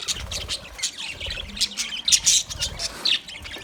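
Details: Budgerigars feeding produce rapid, harsh squawking chirps packed closely together, with the loudest bright calls in the middle of the stretch.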